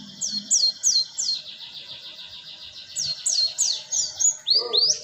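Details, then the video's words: Cinereous tit used as a lure call for bird trapping: a fast run of high, sharply down-slurred whistled notes, about three per second, ending in a few lower, rougher notes. "Pancingan Suara pikat Burung gelatik batu"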